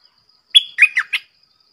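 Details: A single Red-whiskered bulbul phrase: a sharp whistled opening note sliding into three rounded, warbling notes, loud and clear against near silence.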